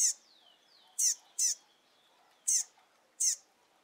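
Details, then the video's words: A double-collared seedeater fledgling just out of the nest, with its father, calls persistently: five sharp, high, buzzy chips at uneven intervals, about one a second, with faint thin whistles between them. "Filhote de Coleiro Chamando Muito"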